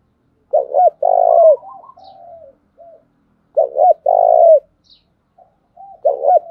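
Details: Cooing of a spotted dove used as a decoy to draw wild birds into calling: two deep rolling coos followed by softer notes, the phrase repeated about every three seconds.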